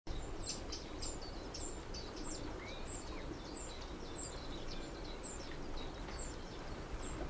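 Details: Little grebe family in the dunes of Egmond, an adult with young, busy collecting food: very high, thin peeps repeated about twice a second, with one faint rising whistle, over a steady low rumble of background noise.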